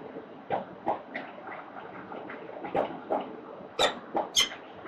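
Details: Peregrine falcons at an urban site in central Melbourne, Australia, 4 October 2020, 9:29 am; a loose run of short, grating squawks, a few softer ones and then several louder, harsher notes near the end, over a steady background hiss.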